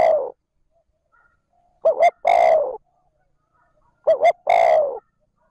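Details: Spotted dove used as a lure, cooing in the pure 'trơn ròng' manner: the tail of one phrase, then two full phrases of two clipped notes and a sustained mellow coo, background otherwise silent.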